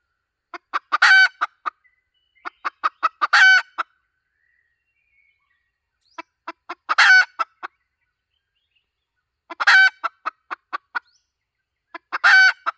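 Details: Calling hen used as a lure, 2023-2024: four bouts across nearly thirteen seconds. Each bout is a quick string of short clucks ending in a loud, drawn, rasping squawk, with quiet gaps between bouts.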